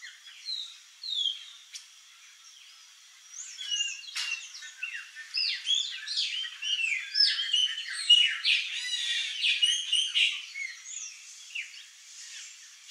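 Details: A flock of chopi blackbirds at a feeder chatters in a busy mix of liquid whistles, chirps and harsh squawks.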